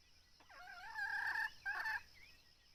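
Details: Red junglefowl answering during decoy hunting: one loud, drawn-out harmonic crow of about one and a half seconds, with a short break near the end. Faint background hiss.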